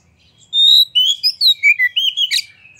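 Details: Spirited kacer song from an Oriental magpie-robin opening its tail, played to make other magpie-robins answer. A long clear whistle opens a quick string of falling, warbled notes, ending in a sharp burst.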